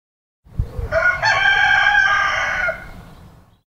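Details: A rooster gives one full crow lasting about two and a half seconds. It opens with a few clipped notes, then holds a rich, steady, hoarse note that tails off gradually against a quiet background.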